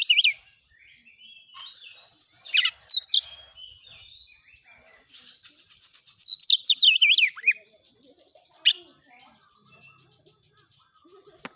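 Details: Oriental magpie-robin (kacer) song used as training material: scattered whistles and harsh notes, then a loud run of zigzag whistled phrases, fading into faint distant chirps and quiet.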